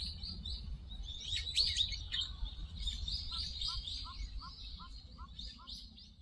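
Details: In a park, wild birds recorded on a Zoom H4n with noise reduced: soft high twittering runs throughout while a series of short, lower descending notes repeats about every third of a second, over a low background rumble.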